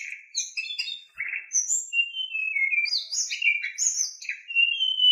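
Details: Excitable Oriental magpie-robin lure song full of rough fillers for prompting other magpie-robins to sing; quick chattering notes give way to long sliding whistles and high, scratchy, jumbled phrases.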